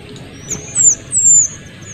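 Small minivet giving two very high, thin, drawn-out whistles, each slightly sweeping and under half a second long, over a faint low background hum.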